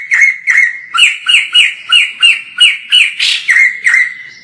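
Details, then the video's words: Energetic song of a captive white-crested laughingthrush, filmed from far off for tutoring other birds: a fast, steady series of about a dozen rasping notes with whistled endings, roughly three per second, and one harsher burst near the end. "POKSAY JAMBUL GACOR FULL"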